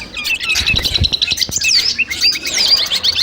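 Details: Long-tailed shrike (cendet) sounds collected to train a bird before a singing competition. Bright, varied chirps and slurred whistles, with several sweeping downward notes, delivered in a lively rush.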